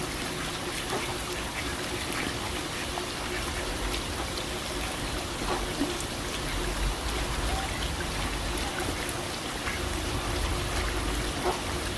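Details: Steady trickling and splashing water fills the scene, with no clear animal calls heard.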